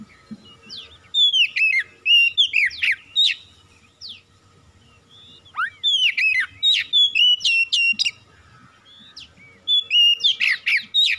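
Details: Lure song of an Oriental magpie-robin meant to set quiet birds singing: three energetic phrases of clear whistled notes and harsh chattering trills, each lasting about two seconds, with brief silences between and a low background hum.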